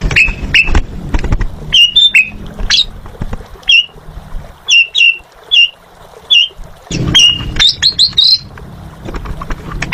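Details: Asian pied starling, known locally as jalak suren, singing in a lively, chattering style: short bright whistled notes and harsh squawks in irregular bursts, with low rumbling background noise between phrases.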